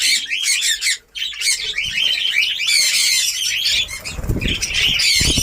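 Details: Budgerigars of a new breeding colony in Darbhanga, Bihar, chatter loudly in high squeaks and chirps, with a soft low thumping or rustling under the calls toward the end.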